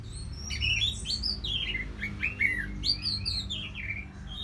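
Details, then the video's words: Caged orange-headed thrush from northern Bali in a lively run of slurred whistles, many notes sweeping downward, delivered continuously over a low background rumble. "ANIS MERAH Ngeplong Lemas"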